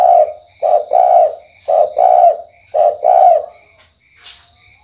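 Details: Spotted dove lure call at night, KUK1 type: three evenly spaced two-note coos, soft and low, then quiet with a sharp click, over continuous high-pitched insect hum and pulsing crickets.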